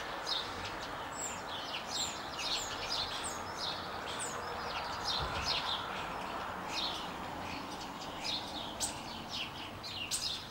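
A common starling sings a rambling stream of high whistles, clicks and rattles that overlap and tumble on without pause, over a steady background hiss.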